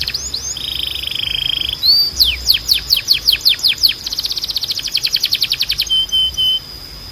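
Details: Canary song meant for training young canaries and stimulating them to sing: high sweeping whistled notes, then a rapid series of steep descending chirps, a fast buzzy trill and a brief clear whistle at the end.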